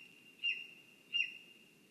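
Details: Two quick, high, slightly falling yelps from a lesser spotted eagle at its spruce nest in Zemgale, Latvia, under a continuous thin tone and faint low noise.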